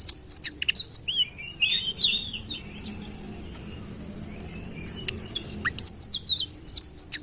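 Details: Citril finch song in two bursts of quick, high, tinkling twitters and slurred whistles, separated by a quiet gap of about two seconds.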